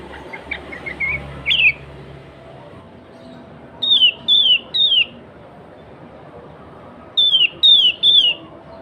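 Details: Sooty-headed bulbul singing in its natural voice, used to draw wild bulbuls: soft notes at the start, then two series of three clear whistles, each note sliding down, the series about three seconds apart.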